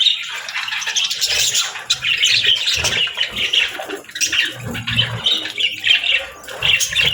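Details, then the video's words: Budgie parents tending chicks; rapid warbling chirps and squawks from several birds run together, rising and falling in loudness, with a faint low drone at times. "Cute Budgies With Cute Chicks 🐦 | Adorable Moments & Chirping Sounds"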